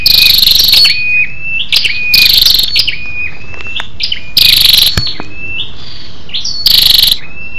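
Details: A female scarlet-backed flowerpecker calling to stimulate males: four sharp, rapid, buzzy high bursts, irregularly spaced, alternating with thin level and sliding whistled notes and a few soft ticks.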